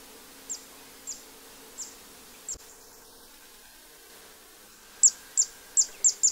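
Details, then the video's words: Zitting cisticola at the Séné nature reserve in Morbihan, 3 April 2024, in spring: four spaced high 'zit' notes, a pause after a click, then a quicker burst of five loud, sharp notes. "CISTICOLE des Joncs/Cisticola juncidis/Printemps !"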